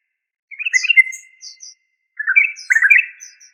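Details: Two short bursts of chattering from a yellow-vented bulbul, called trucuk, each a quick jumble of slurred notes followed by a drawn-out tail, with thin high squeaks between them.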